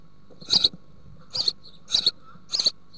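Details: A house sparrow family at a nest box in Altmark, Germany, 16 June 2019, gives four bright, chirpy cheeps about every half-second to second over a faint hum; the female feeds grasshoppers to young nearly ready to fledge.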